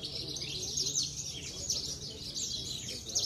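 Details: Javan bush lark, a Parva-type contest bird from Cilacap, Indonesia, that regularly wins singing contests. It gives a dense, continuous, high buzzy chatter of rapid trills and chirps without pause, with faint murmuring voices low in the background.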